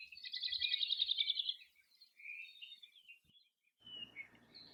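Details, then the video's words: Hawaii Creeper (Alawi) at Hakalau Forest NWR, Hawaii, a species found in small groups of 2 to 4 giving sharp contact calls; a rapid buzzy trill near the start, then softer scattered chirps and a brief noisy patch at the end. "Alavi are often found in small groups of 2 to 4, and they give a sharp chick sort of contact call."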